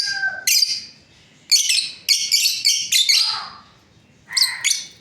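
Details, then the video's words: Lovebird breeding pair chattering in rapid bursts of shrill, raspy, high-pitched chirps, several calls run close together, then a pause and a final double shriek. "Lovebirds parrot chirping sounds | breeding pair"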